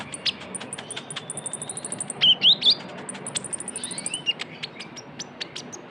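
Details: Trotol chatter of a konin, Van Hasselt's sunbird, used as a lure: a steady, fast series of thin, very high ticks with three louder wavering whistles in the middle.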